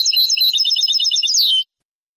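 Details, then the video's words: European goldfinch singing in the Moroccan Sebtaoui style, from an old cassette tape of the late 1990s to early 2000s: a dense, fast twittering of high chirps ending in a bright descending slur, then silence. "CANTO DEL JILGUERO ** شريط نادر و قديم للتغريد الحسون بالنمط السبتاوي المغربي"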